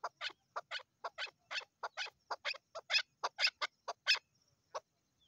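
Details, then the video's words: Female Chukar partridge calling: a fast run of short, harsh chuck notes, uneven in spacing, about two per second, with bright upper tones; no other sounds. "Female Chukar Calling"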